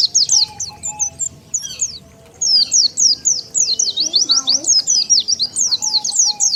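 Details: Lure call of the Oriental white-eye used to draw wild birds together: rapid high thin twittering notes, each a quick rising-falling zigzag, in dense bursts with a short pause, faint low hum and a steady faint tone beneath.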